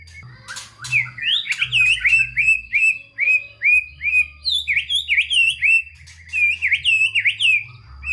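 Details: White-rumped shama in full-fill-in song, meant to prompt lazy shamas to sing: a steady series of bright, slurred whistles, each rising then falling, delivered in quick succession for several seconds.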